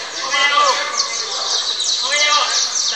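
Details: Several saffron finches (canario criollo) compete at a singing contest in Valledupar, Colombia, in 2024, filling the air with continuous bright, high twittering and quick descending trills while people talk nearby.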